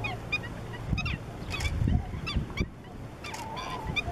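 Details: Short nasal calls from slender-billed gulls in Cyprus come in irregular bursts from more than one bird, set against low-pitched background rumble.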